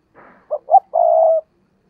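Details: Single phrase from a decoy spotted dove calling to lure wild doves: a soft breathy lead-in, two short hollow notes, then a long steady coo.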